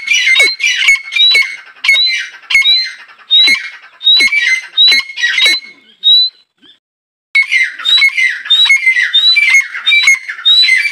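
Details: Female grey francolin (teetar) calling: a harsh, squawking note with a clear whistled overtone, repeated roughly every 0.7 seconds in an even series. The calls pause briefly near the middle, then resume. No other sounds stand out.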